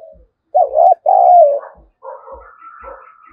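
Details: Spotted dove lure bird provoking wild birds to fight: one loud double coo, short then long and falling, followed by fainter cooing and a high thin whistle.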